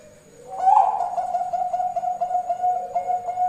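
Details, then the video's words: Zebra dove of the Bangkok type (perkutut bangkok) singing as a lure to draw an answer from other doves: a soft coo that swells into a sustained, rapidly trilled, rolling tone that wavers steadily for about three seconds. "pancingan burung perkutut bangkok"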